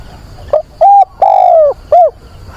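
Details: A decoy dove, calling to find a mate in wind and rain on 24 September, gives one loud cooing phrase: a soft opening note, a short coo, a long slightly falling coo and a brief closing coo.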